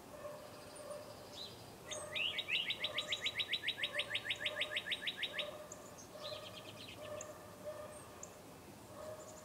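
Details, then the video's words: Morning birdsong outdoors at about 8 a.m.: a fast, even trill of sharp repeated notes lasting about three seconds, set among softer chirps and lower notes from other birds. "Bird Sounds"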